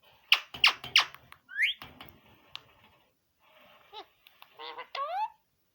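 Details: Green parrot indoors, said to be talking: three loud harsh squawks in quick succession, then a short rising whistle and a string of buzzy, harmonic, speech-like syllables ending in rising tonal notes.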